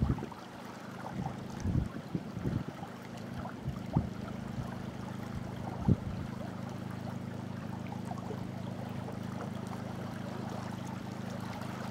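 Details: A steady low engine drone runs throughout with lapping water and a few soft knocks, and no animal calls stand out.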